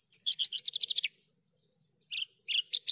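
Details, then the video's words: Javan bush lark singing: a rapid run of about a dozen bright, bouncing chirps, silence, then a few slurred, buzzy notes and renewed sharp chirps. "PANCINGAN/MASTERAN JERNIH BRANJANGAN GACOR...."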